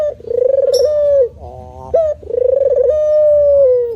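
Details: Spotted dove giving a low, rolling coo that opens with a quick stuttered burst, then holds a steady mellow tone that sags at the end. The phrase repeats twice and is clean, with no other sounds.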